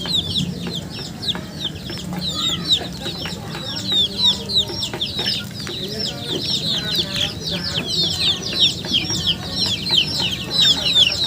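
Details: Chickens chirping in a continuous, crowded chorus of thin, high, falling notes, growing denser and louder toward the end, with faint low hum.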